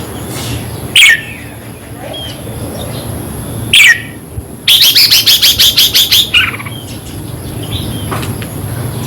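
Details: Red-whiskered bulbul song played to caged birds to excite them: two brief downward-sweeping phrases, then a fast run of about nine even clipped notes, with a last fading phrase and a steady high whine behind.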